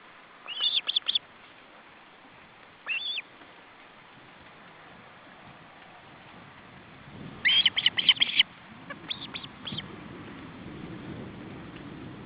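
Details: Male osprey feeding attempt with chicks at the nest in July 2012: brief chirp bursts early, then a dense volley of loud whistled notes and a few trailing chirps, with rising low rumble toward the end.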